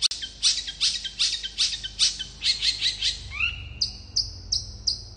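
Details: Long-tailed shrike singing in gacor fast style to draw replies from other shrikes: harsh, scratchy chattering notes in quick succession, a falling slur, then four clear, level high whistles.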